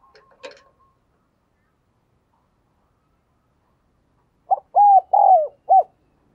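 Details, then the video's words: Caged lure spotted dove calling to attract wild doves: after a brief click and long silence, a loud phrase of four hollow coos, the third longest and sliding downward. "tiếng cu gáy - Chim Cu Mồi Thúc Gù Và Gáy Gọi"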